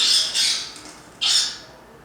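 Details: An ovenbird, intact and held in the hand, gives its distress call: three loud, rasping, high-pitched bursts of about a quarter second each, rich in harmonics, in a quiet room.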